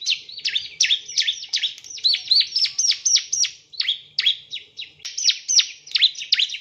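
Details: Bar-winged prinia, male, delivering dense bursts of high, sharp, downward-sweeping chirps in uneven clusters, busy and scratchy throughout, with no other clear sounds.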